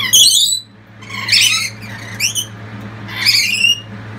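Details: Lorikeets calling loudly as a family encourages the youngest chick leaving its nest box; harsh, buzzy screeches in short bursts about every second, with a steady low hum underneath.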